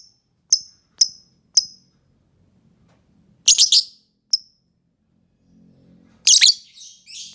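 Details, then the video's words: Lovebird giving three sharp high chirps, a harsh screech, another chirp, then a longer burst of loud raspy chatter. "Suara Burung Lovebird"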